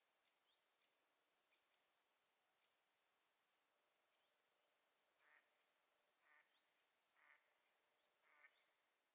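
Mallard ducklings give faint, high, thin peeps, roughly one per second in the second half, over a soft steady background hiss.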